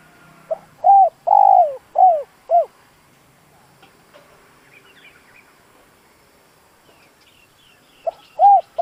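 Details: Decoy spotted dove giving its coo phrase to excite wild doves: a brief note, then four low mellow coos, the second longest, a pause of about five seconds, then the phrase restarts with a short note and two coos.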